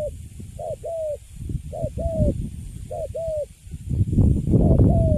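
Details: Newly caught young spotted dove, Cấn Sấm type, cooing in a cage: clipped first note linked to a drawn-out steady hoot, several pairs in a row, with low thumping noise growing louder toward the end.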